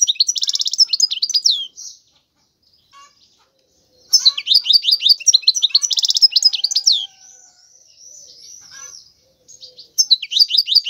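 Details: European goldfinch song in bursts: an energetic twittering phrase, a silent gap, a longer run of bright chirps and trills, soft wavering notes, then song resuming.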